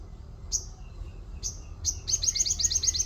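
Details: Orange-spotted bulbul singing with white-eye-style 'wit wit' notes: three sharp high chirps spaced under a second apart, then a rapid, high, rattling trill to the end, over low background noise.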